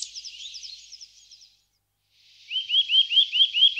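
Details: Eurasian nuthatch: a faint run of quick high chirps fades out, then after a short pause a louder series of rising, upslurred whistled notes repeats rapidly.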